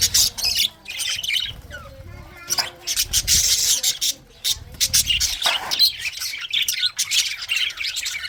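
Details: Budgies give bright, chattering high chirps in uneven bursts, a few short whistled slides and brief pauses between the busy warbling phrases.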